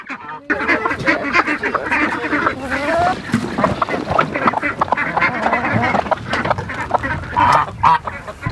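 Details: Young domestic ducks on a homestead, kept in a wet pen, giving rough nasal quacks in repeated bursts, mixed with a person talking and rustling handling noise.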